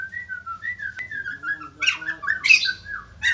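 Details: White-crested laughingthrush in active song that prompts other birds to answer: a string of soft, sliding whistled notes followed by a couple of harsh, squawky bursts.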